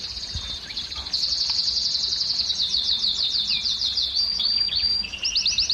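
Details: Canary song to stimulate breeding in females. It is a very high, rapid, chattering trill that slows into separate sweeping notes, with a few lower whistles near the end.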